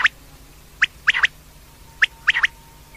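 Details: Female common quail calling: sharp high notes in a one-then-two pattern, a single note followed by a quick double, repeated twice over three seconds against a quiet background with a faint steady hum.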